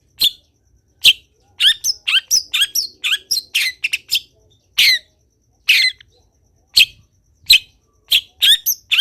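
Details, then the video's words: Long-tailed shrike delivering a busy training song to spur other shrikes: a quick series of scratchy, squawking high notes, many short and slurred, in bursts with brief gaps, background otherwise quiet. "CENDET GACOR BIKIN BURUNG CENDET LAIN IKUT BUNYI - MASTERAN CENDET GACOR FULL ISIAN"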